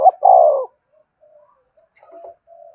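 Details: Spotted dove lure cooing. The tail of a phrase gives one long, falling, buzzy coo, followed by scattered soft low notes in near silence.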